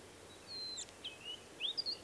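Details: A Western Bristlebird, an endangered species of southwestern Western Australian coastal heathland, gives a short, melodious phrase of thin, high whistles, some held level and some sliding up or down, over a soft hiss of background noise.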